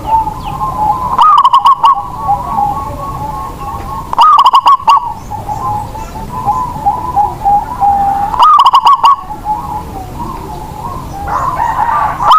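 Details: Local Indonesian zebra dove used as a lure bird, its cooing meant to prompt other, quiet doves to sing: three bursts of rapid staccato notes, roughly every three to four seconds, over a steady mid-pitched tone.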